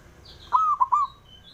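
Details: Male zebra dove of local stock, calling so that rivals answer: one soft, rolling coo phrase of three notes, a longer first note then two quick ones, with thin high chirps of other birds behind.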